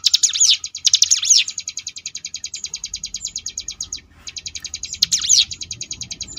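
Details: Sunda bush warbler singing ngebrem style for training contest birds: a long rapid ticking buzz, opening and closing with loud looping whistled phrases, with a short gap before the final burst.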